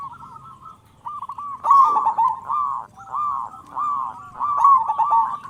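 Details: Energetic local zebra dove with a loud voice, used to stir other zebra doves into calling: a quiet start, then rhythmic bouncing coos in runs of rolling, burry notes, strongest near the middle and end.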